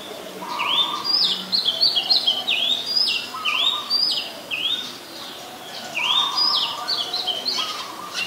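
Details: Oriental magpie-robin, a very common resident, recorded in Ubon Ratchathani, Thailand, on 7 January 2021: loud clear whistled phrases with rising slurred notes and sharp high flicks, repeated in bursts, over lower background calls of other birds.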